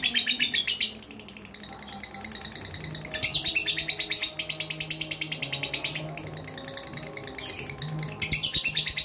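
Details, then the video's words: Fighter-type lovebird in mentil style delivers high, buzzy chattering in several loud bursts separated by quieter stretches, each burst a dense run of rapid chirps, with a faint low hum underneath. "Gak mentil Gak Asik"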